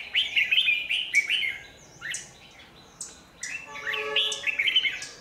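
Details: Red-whiskered bulbul used as a lure at a bird trap on power lines, recorded in Vietnam on 27 January 2019; lively chattering phrases of slurred whistles, repeated in bursts about every second and a half, with a faint hum behind.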